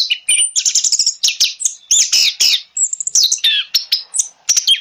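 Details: Energetic orange-headed thrush song for lure therapy: fast, continuous stream of high chirps, trills and slurred whistles with barely any pause, varied notes tumbling one after another.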